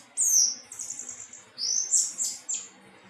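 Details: Thrush giving a short melodious burst of very high, sweeping whistles and fluty slurs in two phrases.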